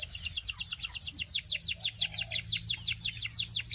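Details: Russian canary song: a fast, steady series of repeated downward-sweeping chirps, nearly three per second, continuing for about four seconds with a faint low background hum.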